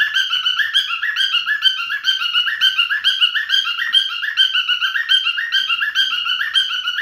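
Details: Continuous song from a male pet cockatiel, clear whistled notes stepping up and down in brisk repeated phrases, nothing else audible.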